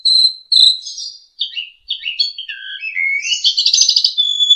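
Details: Asian pied starling singing a long, lively song used as a master recording to train young birds; high whistled notes give way to varied slurred phrases, then a fast rattling trill near the end.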